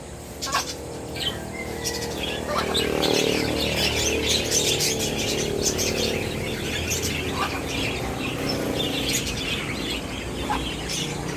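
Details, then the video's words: Lovebirds from the Philippines chirping and singing: a dense, busy stream of short high chirps and squeaky notes, many overlapping, with a steady background hiss throughout. "Lovebirds Singing & Chirping Sounds"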